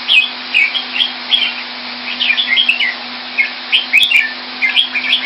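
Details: Singapore-kept red-whiskered bulbul coming into form pours out lively warbling, bursts of two or three slurred whistled notes repeated many times with short gaps, over a steady low hum and a faint click.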